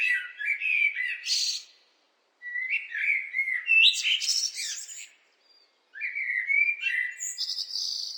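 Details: Fluting blackbird song, low liquid whistles followed by squeaky chattering codas, repeated as three separate phrases with brief silences between them.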